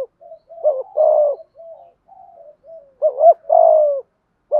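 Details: Spotted dove of Malaysian stock cooing in the 'thúc gù' style, soft low murmured notes leading into stronger paired coos, a short note then a drawn-out hoarse one.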